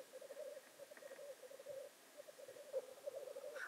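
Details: Black grouse performing at their traditional lek near Llandegla Forest and World's End, North Wales, on 25 February 2019; a steady, low bubbling, cooing chorus runs throughout, with a brief harsher hissing note near the end.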